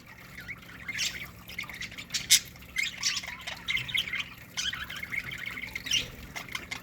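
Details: Aviary-kept budgerigars in a colony keep up a dense chatter of sharp chirps, squeaks and warbled phrases, repeated in quick bursts throughout.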